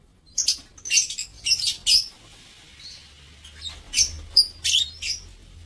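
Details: Lovebirds kept in an aviary, recorded 7 April 2024: sharp, high chirps come in short separate bursts with brief gaps between them, a few tonal squeaks mixed in, over a low steady hum.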